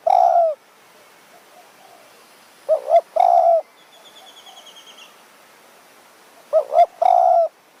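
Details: Wild spotted dove in high forest of Kanchanaburi, Thailand, answering a decoy bird; repeated coo phrases of a wobbling two-part note then a drawn-out coo, with a thin rising whistle from another bird in between.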